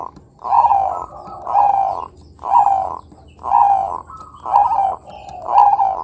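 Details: Zebra dove of the Bangkok type, a lure recording for young birds: soft, purring coo phrases repeated about once a second, each swelling then fading, with brief gaps and a quiet background.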